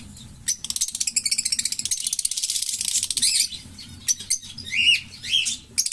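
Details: Green Fischer's lovebird pair, a kept pair noted for long-duration songs, giving a fast run of high, rapid chattering chirps for about three seconds, then sharper separate squeaky notes and rising squeals after brief pauses.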